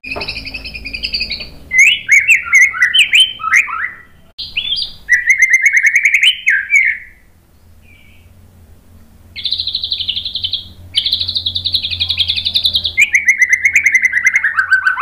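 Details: White-rumped shama (murai batu) song used as a tutor and provocation recording for caged birds: loud, rich run of slurred whistles and rapid varied phrases, broken by brief pauses, then long sustained and downslurred whistled notes.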